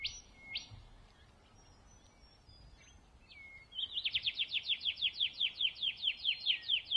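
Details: Rufous whistler singing in Pomingalarna Reserve, NSW, Australia: a couple of clear, high whistled notes, then a fast, ringing string of repeated notes, about six a second, over quiet background.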